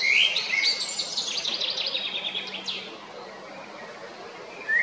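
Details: Male Eurasian blackbird at Jarun, Zagreb, Croatia, on 22 April 2021, opening with clear fluted notes and moving into a fast high twittering run, then a pause before a single whistle at the end.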